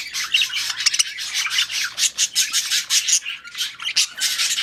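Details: Budgies, also called parakeets, during breeding: a rasping, grinding warble in regular pulses, with bright squeaky chirps over the top.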